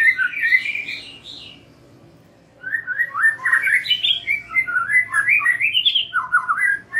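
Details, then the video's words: White-rumped shama singing a lure song meant to prompt young and freshly wild-caught birds into full song: an opening whistled burst, a short pause, then a long flowing series of varied, rising and slurred whistles. "Pancingan MURAI BATU BAKALAN dan MUDA HUTAN agar NGEPLONG"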